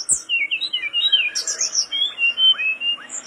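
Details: Mangrove blue flycatcher in full song, delivering a rapid, varied stream of sweet whistled and slurred notes with a few thin, very high twitters mixed in.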